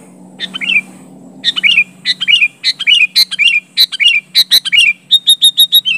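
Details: Sooty-headed bulbul calling out a rival, its own natural voice without learned fill-ins; a rapid run of bright chirped phrases with hooked, dropping whistles, closing in a quick series of sharp repeated single notes, over a faint low hum.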